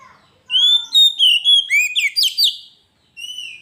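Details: Oriental magpie-robin, called kacer, singing gacor as a master and lure: rapid run of loud whistled slurs and buzzy chirps for about two seconds, a short gap, then a soft whistle resumes.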